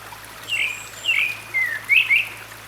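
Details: Grey-backed thrush (Turdus hortulorum) singing in a valley at Sinwonsa Temple, Gyeryongsan Mountain, Republic of Korea, 6 May 2022: four clear whistled phrases, slurred and falling, with a faint high thin note and soft running water behind.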